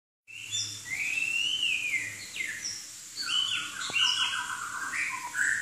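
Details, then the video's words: Chinese hwamei singing vigorously: loud, clear whistled phrases that swoop up and down, with a long wavering slur near the start, then quick rising and falling notes and short bright whistles over a faint background hiss. "Kicau Burung Hwamei Wambi Gacor"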